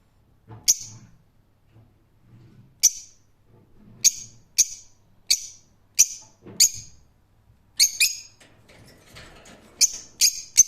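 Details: Rose-ringed parakeet uttering strident screeches, sparse at first, then a steadier run of notes about every half second, ending in a quick cluster.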